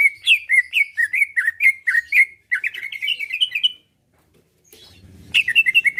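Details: Caged greater green leafbird in active, loud song meant to provoke rivals into answering and fighting: a fast string of rich whistled notes around the middle register, slurred up and down, a brief pause, then a fresh burst with faint background noise.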